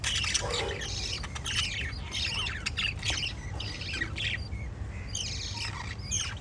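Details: Lovebirds, of the parrot family, chirping: a dense flurry of shrill squawks and sharp chirps overlapping almost without pause, with a low background rumble throughout.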